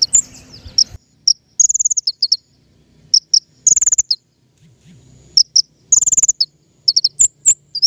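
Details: King konin lure song for bird trapping: short high trilled bursts and paired chirps separated by gaps of about a second, with faint low rustle at the start.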